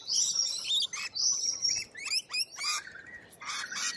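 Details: Australian lorikeets screeching in short harsh bursts, with thin high whistles woven between the rasping notes and brief gaps of quiet between each outburst.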